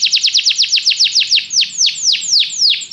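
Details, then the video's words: Canary training song: a burst of rapid downward-sweeping whistled notes that gradually slow and spread out, becoming fuller and more separated by the end. "Este canto canário inspira o apetite do seu canário para cantar imediatamente"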